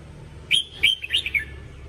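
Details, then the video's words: One lively phrase from a red-whiskered bulbul, sung to train its voice: four or five quick whistled notes, sharply rising then dropping, clear above faint low background noise. "Luyện giọng chào mào"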